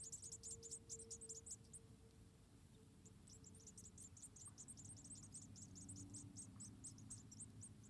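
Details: Nestlings of a white-headed tit in Indonesia, around four in the nest, calling while being fed by their mother: dense runs of sharp, very high chirps that break off briefly and return, with low rumbling noise beneath.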